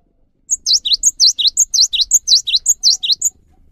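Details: Cinereous tit sings a brisk run of about eight high, clear two-note phrases, each a thin note then a downward-swooping whistle, over a quiet background; song used to prompt other tits to sing.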